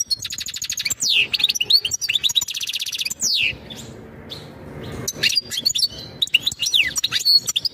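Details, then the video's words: European goldfinch singing mating calls meant to prepare a female for breeding: rapid high twittering with buzzy notes and fast repeated trills, broken by a brief quieter gap midway, then more liquid chirps and downslurred notes. "تغريد الحسون نذاءات التزاوج لتجهيز أنثى الحسون"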